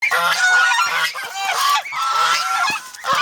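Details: Domestic geese, an over-protective flock kept as poultry in the Philippines, honk loudly and harshly in overlapping bursts, several birds calling at once with nasal, rasping tones and brief gaps between volleys.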